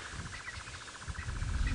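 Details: Square-tailed nightjar (Caprimulgus fossii) churring around a sunset safari drive in Djuma Game Reserve, Sabi Sand, South Africa, 30 September 2017: a steady, rapid mid-pitched churr like a running generator, over heavy engine or wind rumble.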